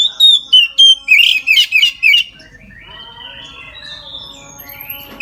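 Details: At midday an Oriental magpie-robin sings fully, a song used to spur other magpie-robins: clear descending whistles, then a quick run of buzzy chips, fading into quiet warbles.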